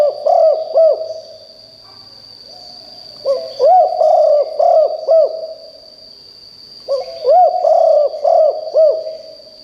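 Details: Loud calling of a decoy spotted dove meant to draw wild doves. Three phrases of four to six rounded coos come about every three seconds against a constant high electronic-sounding whine.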